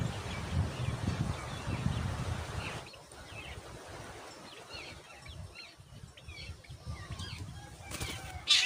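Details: Growing black drongo chicks at the nest demand more food with thin, high, squeaky begging notes about twice a second, after an opening stretch of low wind rumble.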